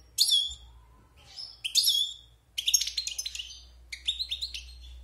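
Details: European goldfinch, a wild bird kept caged for six months after its moult, singing clear bursts of high twittering, tinkling notes in four phrases, with faint low hum beneath.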